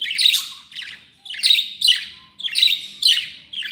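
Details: Content pet budgerigars giving bursts of scratchy warbling chatter, each burst about half a second long and repeated roughly every second, with short quiet gaps between.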